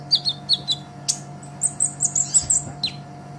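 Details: Sunbird, a kolibri ninja in lively gacor form, recorded as a master track for training songbirds: high thin chirps and short sharp notes in quick bursts, then a run of brighter whistled notes, over a steady low electrical hum.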